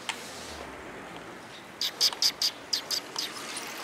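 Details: Sparrows that come to be fed, 4 December 2021, heard on the outward walk: after a near-silent start, a run of about eight clipped, high-pitched chirps in quick succession.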